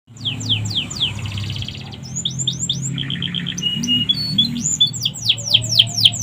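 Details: Canary singing a song filled with imitated sikatan londo flycatcher phrases, a training model for songbirds: fast high downslurred notes in series, a buzzy rattle, short chips and rising whistles, over a steady low hum.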